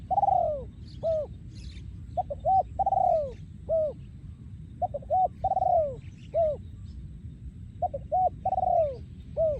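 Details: 2023 breeding male spotted dove, song in โยนคูอ่าง style: loud, steady phrases of paired short notes, a long downward-sliding coo and a hooked end note, repeated about every three seconds over low rumbling noise.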